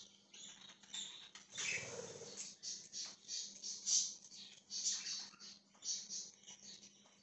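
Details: Budgerigar, dated 20 January 2023, keeping up soft, continuous scratchy twittering with quick high chirps rising and falling about once a second, fairly quiet against a low electrical hum.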